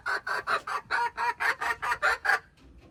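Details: Hen crowing on 21 January 2025: ten loud, raspy notes evenly spaced about a quarter second apart, falling quiet at the end.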